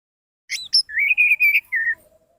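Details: Orange-headed thrush lure song for coaxing silent birds to sing: two high chirps open a run of clear, level whistled notes at an even pitch, closing with a slightly lower sustained whistle.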